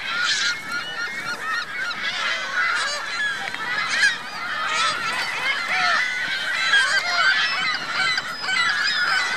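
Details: Virginia Lake in Reno, where geese with goslings keep up a continuous mixed chorus of honks and thin, bending peeps, with louder call bursts at irregular intervals.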